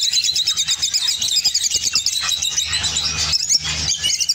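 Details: High, rapidly pulsing chirrups and piercing squeaks from an opaline orange lovebird, Spain, delivered in a nonstop chattering run while a low hum persists beneath.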